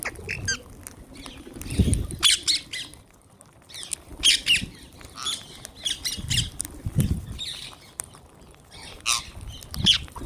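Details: Harsh raspy squawks from wild green parrots at a feeding, given in irregular bursts of two or three through the recording, with low thumps and scuffling sounds between calls.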